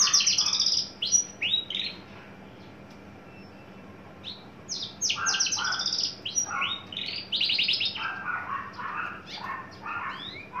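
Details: Mature, tame caged male Horsfield's bush lark just coming into breeding condition, very loud. Dense rapid bursts of high chirps, trills and sweeping whistles alternate with a quiet pause midway, then resume in fast, varied clusters.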